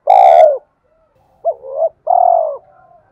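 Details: Spotted dove cooing, used to attract wild doves: a long falling coo, a pause, then a hollow two-part note and another drawn-out descending coo, clean and close.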